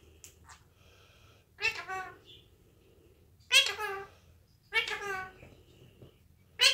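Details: Indoor pet Indian ringneck parakeet producing scattered speech-like utterances: faint soft syllables, then three louder nasal word-like phrases with wavering pitch, separated by quiet pauses.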